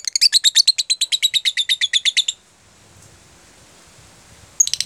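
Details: Lovebird in the "jeda rapat" style used for training other lovebirds: a quick series of about twenty high, sharp pulsed notes, silence with faint room noise, then a new burst begins.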